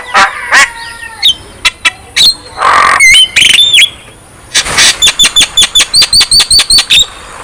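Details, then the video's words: Javan myna singing strongly, offered as therapy for birds slow to sing: scattered harsh calls and whistled slurs, a raspy burst, then a rapid even series of about eight bright clipped whistles. "KICAUAN JALAK KEBO GACOR | Terapi Ampuh Untuk Jalak Kebo Yang Malas Bunyi"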